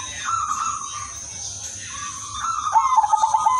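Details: Udanmas silver zebra dove singing melodiously as a lure for other doves. Long smooth notes give way near the end to a quickening series of short, bouncing coos, with a continuous faint high whine underneath.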